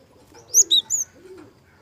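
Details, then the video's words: Java sparrow, soft-voiced lure sound meant to provoke young birds into singing: three sharp high chirps in quick succession, the middle one lower, then a quiet pause. "PANCINGAN BURUNG GELATIK SUARA HALUS . KEREN UNTUK MEMANCING SUARA GELATIK MUDA"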